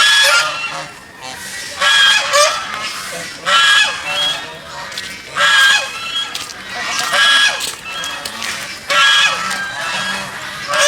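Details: Geese swimming in a pond, making noise: loud, harsh, nasal honks in bursts roughly every one and a half to two seconds, several birds overlapping, with quieter gaps between bursts.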